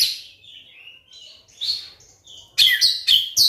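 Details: White-rumped shama song played to goad silent shamas into singing: quiet warbled whistles at first, then loud, rapid, rasping phrases repeated about every half second near the end.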